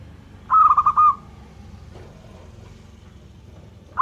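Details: Local zebra dove singing freely: one quick, rolling phrase of soft, stuttering coos, about half a second long, followed by quiet low background noise. Another phrase begins just as the recording ends.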